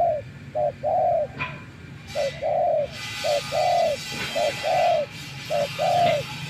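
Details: Decoy spotted dove that has spent days in nature repeats gentle coos, each short note followed by a longer hollow one, about once a second, while a brief hiss of noise passes mid-way.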